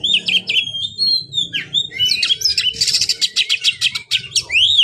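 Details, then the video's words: White-rumped shama kept as a cage bird, pouring out fast varied song: clear whistles, dense rapid trills and chatter, closing with an arched whistled note; low background hum throughout. "buat burung Kacer anda yang malas bunyi"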